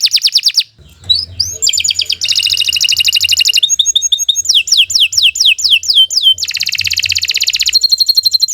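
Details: Canary singing a long, lively song: rapid trills and buzzy rattles alternate with repeated descending whistled notes and high sweeping phrases, loud and continuous with almost no pauses, plus a faint low hum.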